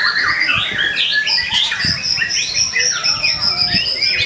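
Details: White-rumped shama song used to provoke other shamas into singing: a dense, energetic run of whistled and chirping phrases, sweeping up and down at high pitch, with some rattling notes and a busy background of other bird sounds.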